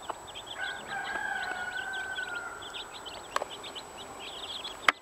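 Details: Hen with 15 chicks: a long steady harmonic call runs for over two seconds while the chicks peep in high, short downward notes around it, with two loud sharp clicks near the end.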